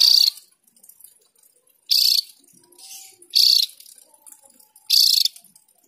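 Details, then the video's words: Javan grey-throated white-eye giving short, loud, harsh bursts of about a third of a second, each repeated roughly every one and a half seconds, with faint low background sounds between. "Opior Jawa Gacor Ngerol Panjang"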